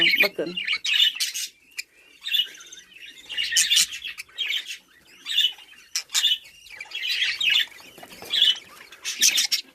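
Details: Budgerigars kept and bred at home as a hobby, chattering in high, scratchy, buzzy chirp bursts that come roughly every second, broken by short pauses, with a few sharper clicks and no other clear sounds.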